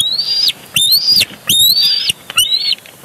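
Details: Live-cam recording of bald eagles at their Big Bear Lake nest, 23 June 2022, fighting over a big fish: quick high whistled squeals rising then levelling off, four sharp notes within three seconds.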